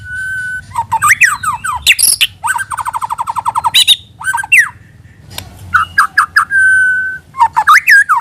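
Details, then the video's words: White-rumped shama song used as a lure: long steady whistles, swooping slurred phrases, a fast rattling trill series and sharp harsh bursts, with brief pauses between varied phrases. "Pikat Suara Burung Murai Batu"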